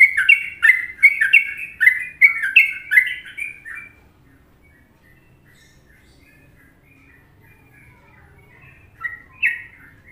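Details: Sooty-headed bulbul from Indonesia singing a Trucukan-style tutor song: about four seconds of rapid, bubbly, fluting phrases that rise and fall, then a long quiet pause and one more short burst near the end.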